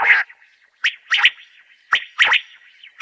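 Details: Common quail female call used by hunters in Khyber Pakhtunkhwa for netting: sharp clicking bursts in doubled pairs about once a second, with a thin sustained tone running underneath.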